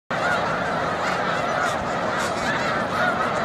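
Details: Wild snow geese at Montezuma, New York, on 7 March 2022, as spring migration nears its peak and the flock takes flight: a dense roar of countless overlapping nasal honks, unbroken and loud throughout.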